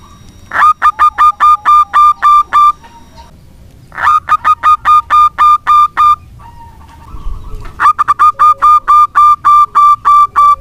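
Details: Local zebra dove singing steadily, used as a lure to prompt doves that have stopped singing; three bursts of about ten loud, clipped cooing notes repeated rapidly, separated by short pauses with faint background noise.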